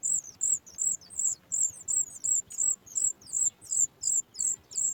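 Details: Nestling Sooty chat calling for food as its mother approaches, a rapid, even series of shrill, high-pitched chirps at roughly three per second, each one short and slightly slurred.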